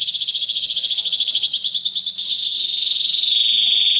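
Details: Canary singing to rouse females for mating: an unbroken high rattling trill that rises slightly mid-clip, then glides lower and smoother toward the end.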